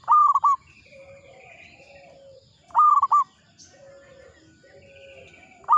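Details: Zebra dove, local type, singing in the Mataram ngepat rhythm: short, loud phrases of three to four clipped cooing notes, repeated roughly every two and a half seconds, with softer drawn-out coos and chirps between them.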